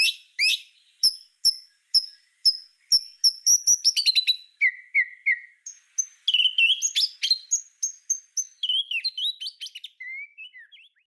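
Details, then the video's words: White-rumped shama master song for tutoring other songbirds: evenly spaced sharp high notes that speed into a rapid volley, then a varied run of whistles, buzzy trills and slurred notes falling lower at the end. "Suara Masteran Murai Batu Full Tembakan"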